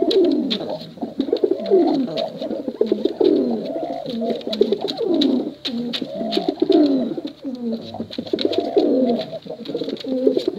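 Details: Steady, overlapping cooing from male and female pigeons, soft rolling notes bending up and down in repeated phrases, with light clicking throughout.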